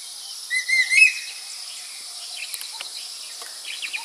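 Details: Changeable hawk-eagle in Udawalawe National Park, Sri Lanka, 2015, gives a quick run of three thin, high whistled notes, the last slightly rising, over a steady insect hiss and faint clicks.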